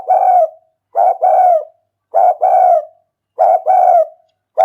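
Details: Spotted dove used as a decoy for luring: four low coo phrases about a second apart, each pairing a short burst with a longer, gently falling note. No other sounds are present.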